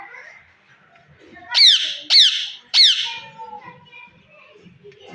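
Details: Indian green ring-necked parakeet, a talking pet bird, gives three loud harsh squawks with falling sweeps, spaced about half a second apart, over quiet indoor murmurs and low background sounds.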